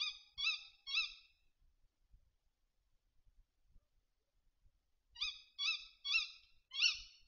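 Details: A tawny owl at a feeder in the Bieszczady in early September gives short, nasal, harmonic notes in quick bursts of three and then four, about half a second apart, with a pause between bursts.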